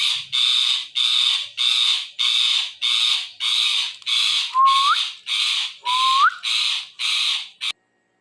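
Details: Talking parrot, a word mimic, squawks harshly in a steady series of about eleven rasping bursts, roughly one every two-thirds of a second, with two short upward-sliding whistles slipped in near the end.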